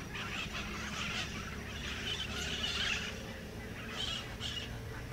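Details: White-eyed parakeets around Tambopata Clay Lick, Peru, give harsh, scratchy screeches in overlapping bursts, a dense run early on and two more near the end, over a steady low rumble.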